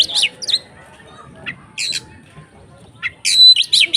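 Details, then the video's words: Kacer (Oriental magpie-robin) singing in the konslet ngeplong style, used as a lure to rouse other kacer: short harsh high chattering bursts separated by pauses, ending in a denser run of buzzy and whistled notes. "SUARA BURUNG Kacer konslet NGEPLONG untuk PANCINGAN KACER supaya lebih EMOSI"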